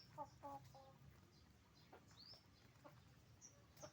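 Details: Roosters and hens on a chicken farm: a few stacked harmonic clucks at the start, then quieter scattered clucks and high chirps of small birds over a low hum.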